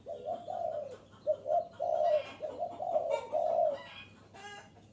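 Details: Wild-bird lure of a spotted dove: low hollow coos in linked phrases, short notes then longer drooping coos, with a harsh scratchy burst near the end.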